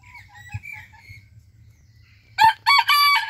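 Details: Sabelpoot rooster crowing, one of two roosters; soft songbird chirps and whistles come first, then at about two and a half seconds a loud, harsh, rich crow bursts in as broken segments and runs to the end.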